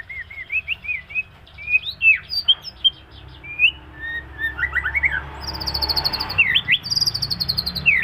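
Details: Moulting white-rumped shama delivering a varied run of sweet slurred whistles. It then switches to high, rapid, buzzy repeated notes in two long strings, mixed with sharp upslurred whistles.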